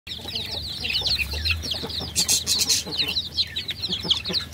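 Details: Baby chickens peeping together: a dense, continuous chorus of high, short, bright cheeps that overlap constantly, with a brief burst of scratchy rustling in the middle.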